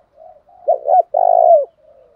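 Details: One full phrase from a spotted dove cooing to provoke rival males: soft low humming lead-in, two rounded short notes, then a long even coo tailing off into a quiet murmur.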